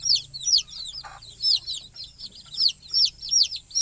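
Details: Night-time chirping of small chicks near their sleeping mother hen on the nest perch: piercing, downward-curving peeps in rhythmic bursts, with one short rustle.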